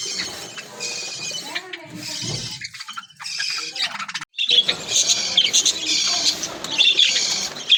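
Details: Budgerigars kept in an aviary, playing, singing and eating, with many birds chattering at once: dense high chirps and warbles, broken by a brief silence midway, then the chorus resumes just as thickly.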